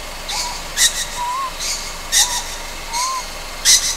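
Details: Nighttime juvenile Ryukyu scops owl on Amami Oshima repeating harsh wheezy hisses roughly every 1.4 seconds, with soft rising and falling whistles between them.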